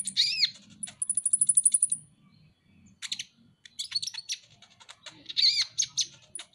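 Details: Van Hasselt's sunbird, cage bird, masteran tutor recording: a sharp high call, then a fast thin ringing trill of about a dozen notes, a pause, and a jumble of quick chirps and squeaky slurred notes.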